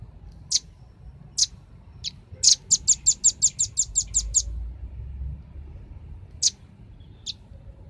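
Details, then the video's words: Velvet-fronted nuthatch lure recording for attracting birds, with loose single high chips, a quick burst of around ten ringing notes in the middle, and more spaced chips after. "suara pikat burung rambatan ribut suara jernih paling ampuh"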